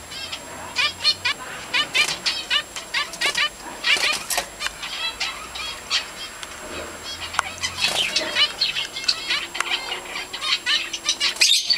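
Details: Zebra finches, around a chick about to hatch, give rapid, high, buzzy chirps in quick irregular bursts.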